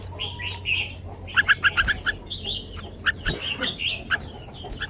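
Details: Red-whiskered bulbul singing the sweet 'lak wai' style: bright whistled notes, then a quick run of five or six evenly spaced chirps, followed by scattered short phrases against a low background hum.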